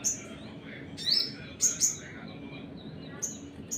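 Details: Crimson Sunbird trigger call to provoke other birds: a few piercing high chips and a quick slurred note, irregularly spaced, with soft background hum.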